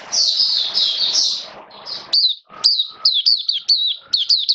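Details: Oriental white-eye, a caged hobby songbird, wet rainy weather on 29 September 2022: a buzzy high chatter, then crisp repeated sharp-edged warbled notes about twice per second, each with a faint lower whistle beneath.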